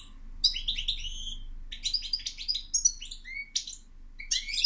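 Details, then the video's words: European goldfinch song: fast, tinkling twitter of bright chirps and buzzy notes, with a few slurred whistles near the end, in quick bursts over a soft low background hum. "Goldfinch Song"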